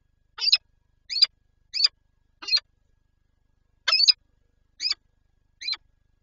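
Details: Peregrine falcon pair tending eggs at a nest in Lublin, Poland, 19 March 2022: seven clipped, shrill, grating calls at fairly even intervals, with a pause after the fourth.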